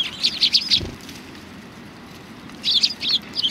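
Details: Sparrows arriving to be fed at a Tenmangu shrine, 25 November 2020: two quick runs of high chirps, one at the start and one at the end, with a low thump and a quiet pause between.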